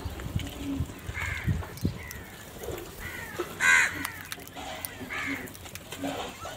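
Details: Crows fighting for food, calling with scattered harsh caws of varied loudness, one sharp louder call midway, amid low rumbling background noise and faint clicks.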